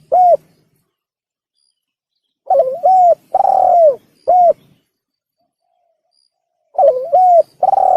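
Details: Spotted dove cooing as a hunting lure: brief coo, then a phrase of wavering note, short coo, long sliding coo and closing coo, with the phrase beginning again at the end; no background sounds.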